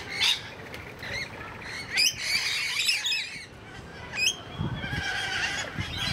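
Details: Rainbow lorikeets kept at Paradise Country wildlife zoo give scattered sharp squawks and rising screechy notes, with a flock of other chattering birds behind and low rumbling noise near the end.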